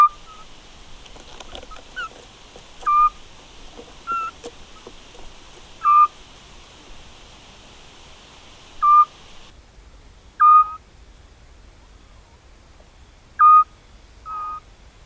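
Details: Eurasian scops owl pair in spring 2016 farmland near Cavarzere, Venice, Italy, around a nest cavity dug by woodpeckers, during mating: short whistled notes, some doubled, repeated every one to three seconds, faint noise early on.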